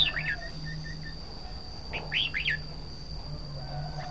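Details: Red-whiskered bulbul: a few quick, even chip notes are followed by two loud, fluty down-slurred phrases. A low hum and a steady high whine are heard in the background.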